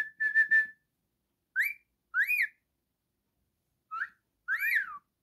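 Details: Pet cockatiel, a male, singing and whistling: a steady whistled note followed by short rising and arched whistles in separate bursts, clean background.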